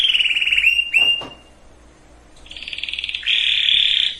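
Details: Canary song to ready hens and males for breeding: a wavering whistled trill, a short sharp note, a quiet pause, then a steady buzzing trill and a lower rich rolling phrase.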